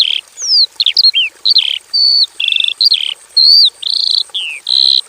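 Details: A Javan bush lark in a basic aviary sings a full, varied strophe: short twisting chirps alternating with sustained buzzy notes and clean level whistles, each phrase separated by brief pauses, with a faint high background tone.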